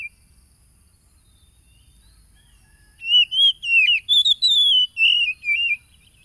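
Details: Oriental magpie-robin singing as a lure for stressed, silent caged birds, recorded by phone on Saturday 30 July 2022 at Tulus Rejo village, Lampung, Indonesia. Three quiet seconds give way to a burst of sweet, warbled whistles sliding up and down.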